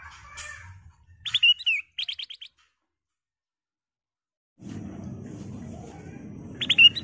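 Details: Sooty-headed bulbul, its song used as a lure to provoke other birds, gives a clear whistled phrase and a fast run of repeated chirps. Silence follows, then a steady low rumbling noise and the start of another phrase.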